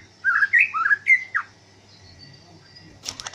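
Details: Greater green leafbird, a kept five-year-old bird with a strong, long-breathed 'ngentrok' style, let out in open air in the late afternoon for mental training; a burst of loud whistled, slurred phrases in the first second and a half, then quiet and a short harsh rattle.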